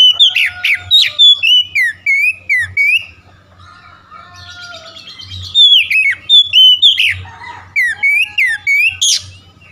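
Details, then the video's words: Morning lure song of an oriental magpie-robin, meant to get a sluggish bird singing: bursts of bright, falling and rising whistled notes in rapid series, a softer twittering lull midway, then another loud whistled run; faint low hum throughout. "pancingan pagi atasi cepat Kacer lelet bunyi langsung gacor"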